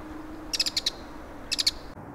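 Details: Bull-headed shrike recorded in autumn along Gongneung Stream, South Korea, giving two quick harsh chattering bursts of several sharp notes each, about a second apart, against faint low background hum.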